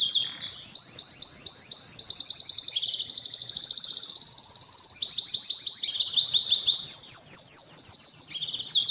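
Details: Continuous canary song of repeated swooping notes and rapid high rolls, shifting between trill types without pause across nine seconds.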